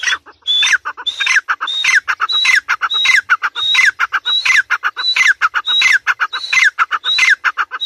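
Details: Female grey francolin in a dense run of harsh, squawky calls. Each phrase carries a high whistled note that drops away, and the phrases repeat almost without a break, with a clucking, layered texture.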